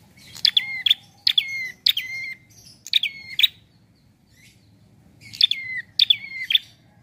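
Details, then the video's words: A prinia sings a relaxed song used as a lure for trapping: six quick phrases of sharp clicks and thin, high whistled notes about half a second apart, with a short pause, over a faint low hum. "Prenjak Bunyi Santaii"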